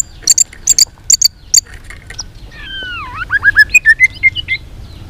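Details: Fighting song of a white-rumped shama, tail-flicking and singing in many voices. High paired chips open the phrase, then long swooping whistles sliding down, then short clear notes repeated rapidly over a quiet background.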